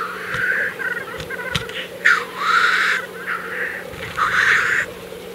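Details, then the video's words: April 2024 black grouse lek, with a series of coarse hissing, wheezing calls in quick succession over a steady deep bubbling chorus, plus a few faint knocks. "Tedremäng. Aprill 2024"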